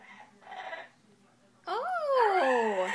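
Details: A pet bird kept in a cage makes its nest-site noise after finding a spot it likes for a nest: soft murmurs, then a drawn-out, rising-and-falling whining whistle with rich harmonics.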